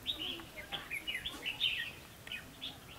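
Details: Red-whiskered bulbul during bird trapping with a long-handled trap, 22 October 2016: continuous chattering run of sweet, slurred whistles, tumbling up and down in fast succession, with a couple of sharper notes near the end.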